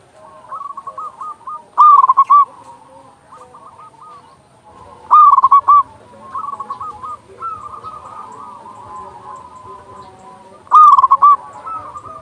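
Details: Local zebra dove with a big voice, recorded as a master track to make doves sing quickly: three loud clusters of fast rolling coos about every four seconds over steady softer cooing.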